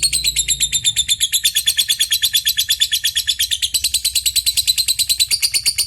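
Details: Lovebird in long 'ngetik' and 'ngekek' chatter, calling an opponent: a dense, shrill, machine-gun trill of pulses at roughly eight per second, unbroken throughout and steady in loudness.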